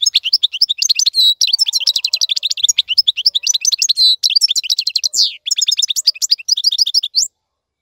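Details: European goldfinch singing a fast, continuous twittering song of rapid chirps, trills and buzzy notes, used as a tutor song for teaching young birds to sing; brief pauses near two and five seconds.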